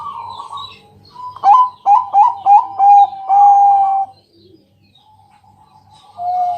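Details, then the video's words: Night lure song of a Bangkok-type zebra dove, used to get other doves singing: a soft coo, then five loud staccato clicking notes leading into a long level phrase, a pause, and a final low coo. "Pancingan malam hari Perkutut Bangkok..Suara Penghilang Stress Burung Perkutut"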